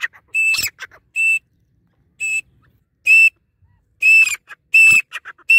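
A grey francolin gives loud, shrill whistled notes, some sliding upward, repeated in quick bursts about once a second against a quiet background.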